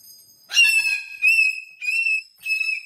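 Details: Pet cockatoo dancing energetically on a TV stand indoors, giving four loud, harsh, nasal calls with a steady tone, each lasting about half a second, separated by short gaps.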